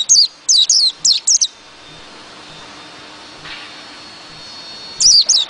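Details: White-eye song: two bursts of high, thin, sharply falling whistled notes, a quick run of about six at the start and another group near the end, with a quiet gap between.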